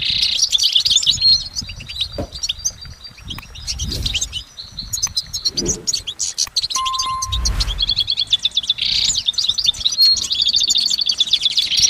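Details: Goldfinch singing in nature, a long, uninterrupted run of rapid high tweets and twittering trills with layered notes, broken midway by a low thump and a brief steady tone before the twittering resumes.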